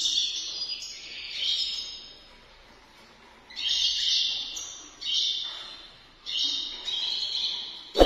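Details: Caged European goldfinches during mating: bursts of bright, high twittering song a second or two long, separated by short quiet gaps, ending with a sharp click.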